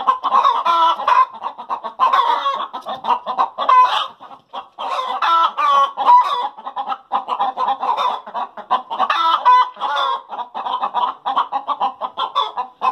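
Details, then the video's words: Backyard hens giving their post-laying cackle, a long run of insistent rhythmic clucks broken every few seconds by stretched, louder squawking notes, continuing steadily throughout. "Chickens Sound After Laying Eggs"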